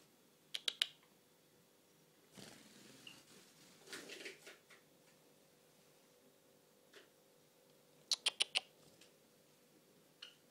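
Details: Pet Java sparrow let out of its cage for morning free time indoors, giving short, sharp, high chip notes in quick bursts of three or four near the start and again around eight seconds, with rustling and fluttering sounds between.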